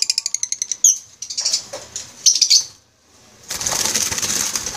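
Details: Masked lovebirds of the green wild form in an aviary in the Philippines: a fast run of sharp, high clicking chirps, then scattered shrill notes and a long stretch of rushing, flutter-like noise.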